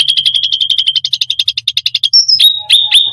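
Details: Full energetic cucak rante song, said to provoke other birds: a rapid pulsing rattle lasting about two seconds, then a high whistle and sharp repeated chips, over a faint low hum.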